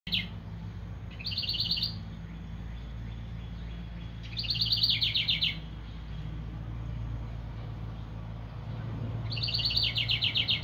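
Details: Wild song sparrow in New Jersey, visiting a bird house under a carport for a second year, sings bright, rapid trilled phrases about every four to five seconds, over a steady low mechanical hum.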